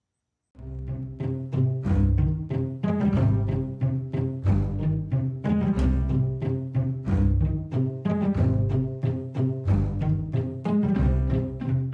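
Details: Orchestral music with deep timpani strokes and low bowed and plucked strings, with no animal voices.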